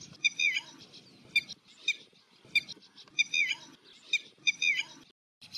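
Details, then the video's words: Red-wattled lapwing heard behind a little egret hunting fish: repeated bursts of piercing, slightly rising notes, each phrase of several rapid calls returning about every second, with faint low background noise. "Red wattled Lapwing Sound / call in the Background"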